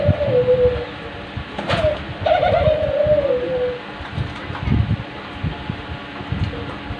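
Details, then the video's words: A diamond dove gives soft, mellow coos, two long notes that slide gently downward, with a low indoor rumble and faint knocks underneath. "ঘুঘু পাখির অসাধারণ মিষ্টি ডাক🐦🕊sweet tune of australian dove"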